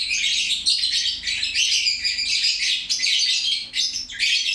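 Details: Lovebird singing loudly and without pause, a continuous stream of rasping, squeaky high chatter that rises and falls slightly in loudness.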